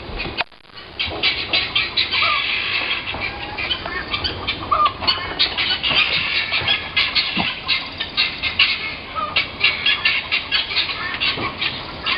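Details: Guineafowl from across the road, heard from a front porch and living area in February or March 2010: a dense, harsh racket of grating, rhythmic squawks repeated rapidly throughout, with several birds overlapping.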